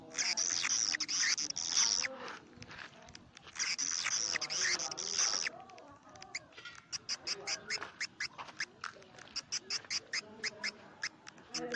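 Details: Swiftlet lure call for swiftlet houses, of the karindanga style: dense, shrill high chirping in two bursts over the first five seconds. Quieter, sharp clicks follow, repeated rapidly and unevenly with faint low murmur beneath.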